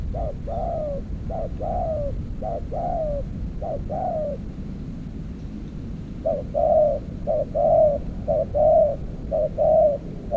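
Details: Spotted dove coos while a decoy trapper works an earthen trap cage. Soft paired coos, a brief note then a drawn-out one, come in a steady series, pause for about two seconds, then resume louder.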